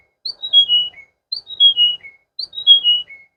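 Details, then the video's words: Water canary singing a bright descending whistled phrase, each note sliding lower than the last, repeated three times at a steady pace of about one per second, in otherwise quiet surroundings. "water canary"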